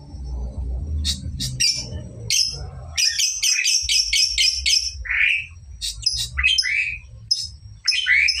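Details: Young lovebird learning long ngekek trills; a fast run of repeated sharp rasping chirps, interspersed with lower squawks and downslurred squeaks, over background rumble.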